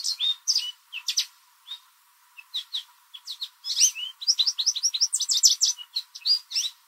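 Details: American goldfinch in a backyard in spring, singing a likely mating song; scattered short chirps with gaps at first, then an unbroken stream of high, sweet twitters and chirps in the second half.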